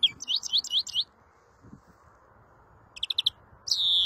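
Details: Fairly quiet greenfinch twittering: a run of quick looping notes, a pause, a short burst of repeated notes, then the start of a long buzzy wheeze, over steady background hiss.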